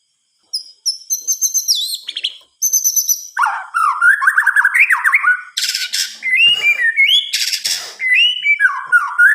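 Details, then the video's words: White-rumped shama (murai batu) night song, varied and mimic-like: high buzzy trills, sweeping whistles, harsh rasping bursts, and rising then falling clear notes. "Suara Kicauan "MURAI BATU" di Malam Hari"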